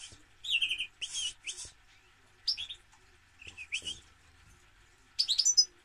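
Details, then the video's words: A European goldfinch gives scattered short phrases of bright chirps and tinkling twitters, with a brief buzzy note and a final rapid twittering flourish, spaced by short silences. "Goldfinch - Jilguero"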